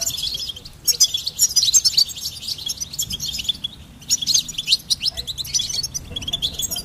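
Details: Singing goldfinch delivers two long runs of fast, high, tinkling twitters and chirps, each lasting a couple of seconds, split by a short quieter pause, the notes tumbling together in a lively, buzzy stream.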